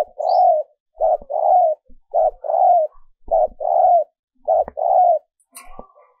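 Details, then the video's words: Female dove calling to excite and lure males, an edited recording used as a decoy; low soft coos in pairs, a short note followed by a longer falling coo, repeated roughly every second, with a faint click near the end. "Tiếng Chim Cu Mái mp3 kích Trống"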